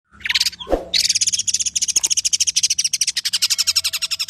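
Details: Tame, kept long-tailed shrike singing in a full, varied, rapid-fire style, used to prompt and tutor other birds: dense, fast-pulsed high chattering notes running nearly unbroken, with a brief lower thump near the start.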